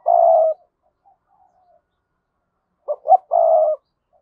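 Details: Decoy spotted dove calling to rouse other doves into cooing: a long, even coo, a quiet pause with soft murmurs, then two short rising notes leading into another long, steady coo.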